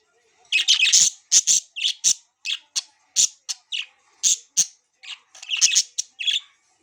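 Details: Pet budgerigars chirping excitedly: short bursts of bright, scratchy chirps in quick clusters with brief pauses between them, some notes sharper and squeakier than others.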